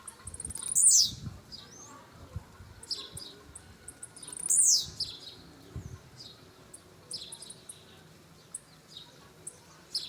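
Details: A brownish 'pardinho' blue-black grassquit giving a show. Two loud, buzzy, descending notes come about four seconds apart, with faint high ticks and soft chips between them. Occasional low thuds sound in the background.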